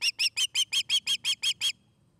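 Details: An osprey at a Charlo, Montana nest, recorded by nest camera on 29 August 2018, utters ten evenly spaced, high piercing chirps in under two seconds before falling silent.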